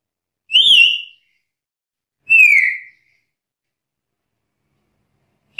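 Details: Black-capped lory, a lively bird heard challenging rivals: two loud, ringing whistled notes about two seconds apart, each sliding gently downward with strong overtones, and a third note starting at the very end; no other sounds.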